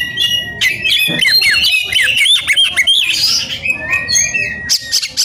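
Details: Heated white-rumped shama seeking an opponent delivers fast, rich song: rapid slurred whistles and chattering notes about three per second, ending in a long thin whistle.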